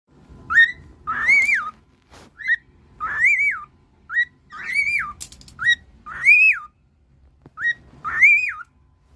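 A cockatiel gives loud, ringing whistled calls that rise then drop, repeated in pairs every second or so.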